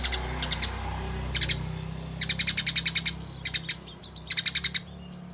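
A Eurasian tree sparrow chatters in quick bursts of sharp, high chirps, three to ten at a time, over a low steady hum.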